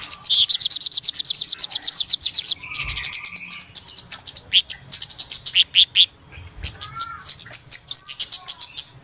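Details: Flowerpecker (cabe-cabean) lure sound for trapping birds: a fast, even, high rattling trill of ticks, a lower buzzy burst, then scattered high chips and quick rising whistles.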